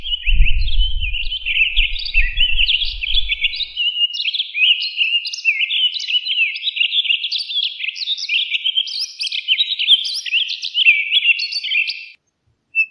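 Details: Townsend's solitaire delivering a long, unbroken song of rapid, tumbling warbled phrases for about twelve seconds. Brief low rumbling at the start, then the bird sings alone.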